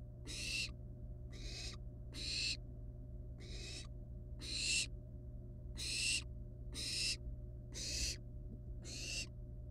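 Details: Wild barn owl chicks in the nest, with a still-alive rat as prey. Short, breathy rasping hisses come at irregular intervals over a faint background hum.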